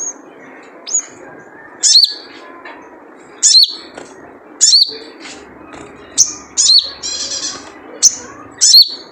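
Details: Wild sunbird (sogon) call used to lure others, the 'jrejet cuit': sharp, very high downswept chirps repeated every second or so, mixed with a few softer, buzzier high notes and faint background rustle.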